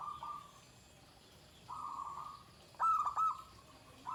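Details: Zebra dove song in the shrill 'ke tek kuk' klare style: steady mid-pitched coos, then a loud burst of clipped, stuttering notes near the end, with a low background hum throughout.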